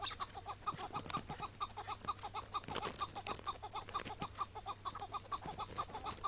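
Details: Chukar partridge calling on a May 2017 morning, a wild bird caught and then set free at the same spot. A regular chain of sharp clucking chuk notes, about two per second, keeps going steadily with a few soft knocks behind.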